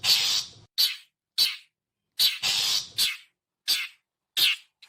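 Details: Long-tailed shrike lure call, used to attract wild birds: harsh, noisy, rasping bursts, some long and some short, repeated in irregular series of about eight calls with short silent gaps and no other sounds.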